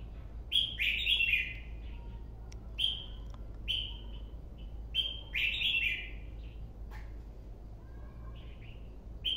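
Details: Red-whiskered (white-cheeked) bulbul singing short, bright, chirpy phrases, several a second, with brief pauses between, over a low steady hum and a few sharp clicks.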